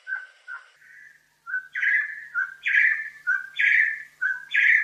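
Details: Crimson-headed Partridge (bloodhead), a black partridge with a bright red head of Bornean montane forest, giving its loud, ringing, metallic ring-ying: paired notes, a steady whistle and then a brighter, higher burst, repeated about once per second.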